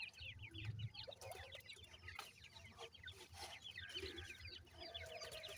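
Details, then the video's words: A group of grey francolin chicks peeping continuously, with thin high chirps repeated rapidly and overlapping, over a steady low hum and faint rustling. "irani teetar chicks ki voice"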